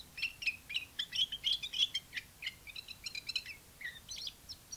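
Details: Chinese white-eye bird singing, bright high warbled notes tumbling quickly, about three per second, with several brief pauses and a few lower slurred notes near the end; background otherwise quiet.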